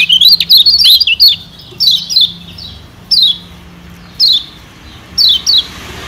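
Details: A Lombok yellow white-eye (kecial kuning) gives a quick run of high, thin chirps, then short paired downslurred notes about once a second over quiet background hiss; used as a lure call.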